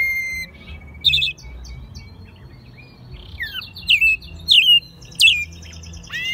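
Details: Pet American robin in Mexico City, raised from a chick and recorded in March 2020, giving softer song: a thin steady whistle, a chattering trill, then several sharp descending squeaky phrases over faint background noise.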